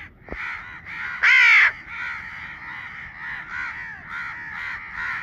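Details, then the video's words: Young crow calling with a steady run of rough, nasal caws. One much louder, drawn-out, strained caw breaks in partway through, then softer overlapping caws resume. "Baby Crow sound || crow bird crowing sound || crow ki awaz naturally"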